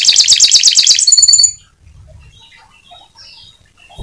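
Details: Atlantic canary giving a rapid, dense, bubbling trill in ngebren style, then a couple of thin whistles. After that come near silence and faint low rumbling, with a thump at the end.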